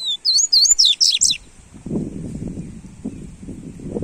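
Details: Coleiro, or Double-collared Seedeater, sings a fast phrase of bright, rapidly sliding high whistles for just over a second. Then it falls silent over a low rumbling noise. The recording is meant to warm up a seedeater.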